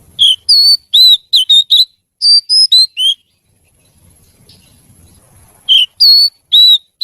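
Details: Oriental magpie-robin (kacer) song, lively and melodious: bursts of clear, high whistled notes, some slurred up or down, in quick runs. A quiet pause with faint low rumbling falls midway, then the whistling returns.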